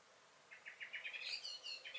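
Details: Common blackbird (Turdus merula) in a garden on 23 May 2021: a quick run of hard notes, about six a second, then higher, thinner twittering notes over a faint outdoor hiss.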